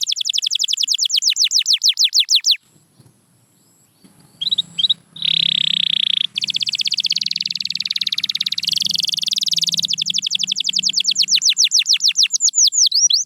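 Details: Canary song opening with a run of quick falling whistled notes, a short pause, then long rolling trills and a steady buzzy tour before more descending sweeps; faint low hum beneath.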